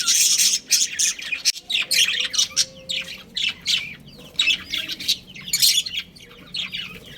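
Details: Pet budgerigars, a breeding pair, chatter in loud rapid high chirps and warbles, dense bursts with brief pauses, in an indoor setting with a faint low hum.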